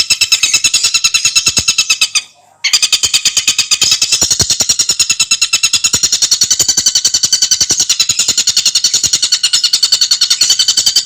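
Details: A Javan sunbird (Aethopyga mystacalis) sings a clear, fast, tightly packed song used as a tutor recording: a rapid, unbroken chatter of high, thin, clicking notes, several per second, pausing briefly once before racing on.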